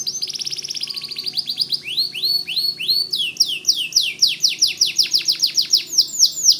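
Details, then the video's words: White canary singing energetically, a recording offered as tutor song for white-rumped shamas: a fast buzzy trill high in pitch, then a run of down-slurred notes giving way to quick, repeated upswept chirps. "Suara Kicau Kenari Putih Gacor Dor"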